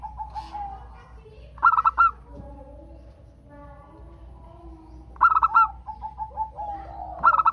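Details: Local zebra dove singing to prompt other doves to sing. Two loud, rapid stuttered bursts are separated by long quiet gaps with faint cooing, and a third burst begins at the close.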